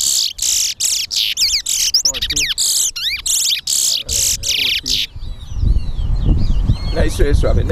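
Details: Chestnut-bellied seed finch (towa towa) singing in a bird race at a Lamaha and Vlissengen Road bird ground in Guyana: quick, bright phrases of rapid buzzy notes and looping high whistles, then heavy noise and murmuring people.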